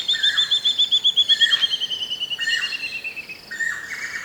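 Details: Levaillant's cuckoo gives loud, rising, slurred calls at Shingwedzi Rest Camp, Kruger National Park, while a water thick-knee whistles a rapid, high, slowly falling series of notes in the background; scops owls also calling in camp.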